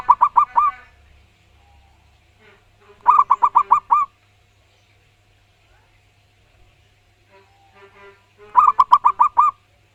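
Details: Loud, clear-voiced wild local zebra dove singing in three short bursts of five or six quick, bright cooing notes, separated by pauses of several seconds with faint soft calls and low hum between.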